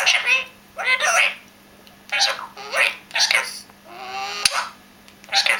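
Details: Pet parrot talking indoors, producing short speech-like phrases in bursts separated by brief pauses, with a faint steady hum behind.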